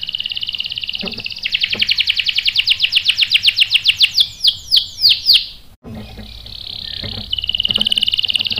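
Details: Canary lure song aimed at making birds answer with sharp rolls: a buzzy trill speeds into evenly spaced chirps and falling slurred whistles, then after a brief gap resumes as a steady rolling trill.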